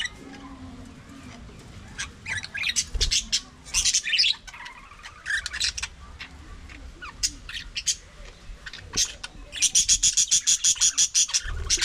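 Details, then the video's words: Several budgerigars in an aviary colony chatter in bursts of sharp chirps and scratchy warbles. The bursts build toward a fast run of evenly repeated shrill notes near the end. "budgie parakeet talking"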